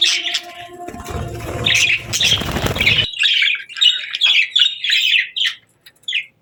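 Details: Budgie flock eating and chirping cheerfully; rustling, crunching noise over the first three seconds, then clear rapid warbled notes that fade out near the end.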